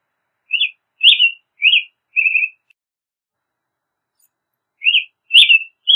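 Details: Clear caroling song of an American robin, four quick whistled phrases in a row, a pause, then three more, each phrase short and slurred up and down.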